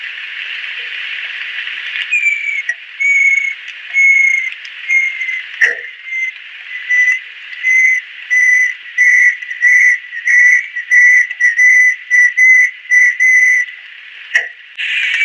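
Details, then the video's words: Banded kingfisher, an adult female, in Southeast Asian lowland rainforest gives a long series of clear, level whistled notes that start spaced out and quicken to nearly two per second, over a steady insect hiss. "Banded Kingfisher-Song Bird."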